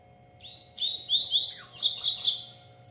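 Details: Double-collared seedeater singing persistently: a rapid, twittering run of sweet, slurred high notes that builds and rises, then fades over about two seconds, with a faint steady electrical hum beneath.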